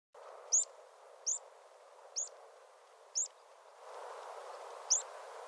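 Rock pipit giving five thin, high, sharp single notes spaced about a second apart, over steady low surf-like rushing noise.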